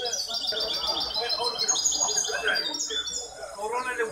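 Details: A hybrid goldfinch competing in a singing contest run by the Ain Chock association on 23 May 2021 delivers fast, high metallic twitters and liquid trills, with a background of chatter.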